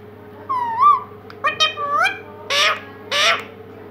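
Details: Talking pet parrot indoors making a series of nasal, speech-like syllables, the first a whistled rising note, the last two louder and harsher, over a constant low hum.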